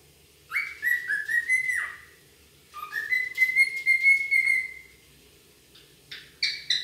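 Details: Wild cockatiel calling: drawn-out whistled notes that slide slightly upward, given in two long bouts with a shorter call at the end.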